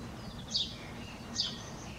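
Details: On a neighbouring rooftop, a house sparrow gives two crisp, high chirps less than a second apart against constant low environmental noise.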